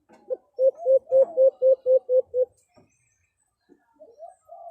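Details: White-eared Brown Dove fighting call: a fast run of eight low, hollow coos, about four a second, then a short pause and a softer rising note.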